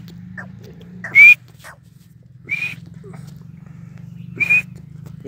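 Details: Sindhi teetar, or grey francolin, giving three loud, shrill, high calls spaced about one and a half seconds apart, with a steady low electrical hum behind and men talking nearby.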